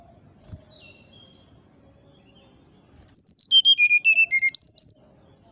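A Brown-chested Jungle Flycatcher gives a quick burst of high, sweet whistled notes, stepping down in pitch then flicking upward, after a few faint high notes and low background noise.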